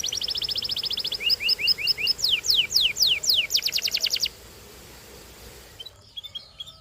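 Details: Canary song with a rapid high trill, a run of short paired notes, several descending sweeps, and another quick trill, followed by near silence with faint distant chirps.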